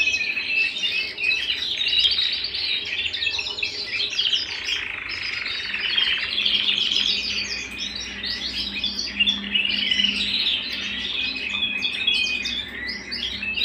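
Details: Canary song at home, a long unbroken stretch of high twittering, chirps and trills, layered as if from more than one singer, with a faint low hum.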